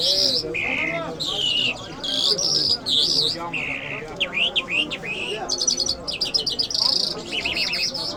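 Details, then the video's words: Iranian jal lark of the Mashhadi mast type singing a long varied sequence of whistled slurs, buzzy trills and quick repeated chirps, low chatter of people behind. "Jal Birds Iranians Lark Sounds | صدای طرقه، مشهدي مست"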